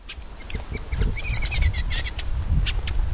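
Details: Shining Sunbird, a species of arid African and Arabian scrub, recorded in desert habitat: a jumbled run of sharp, high chattering notes and short twitters over a low rumble of background noise.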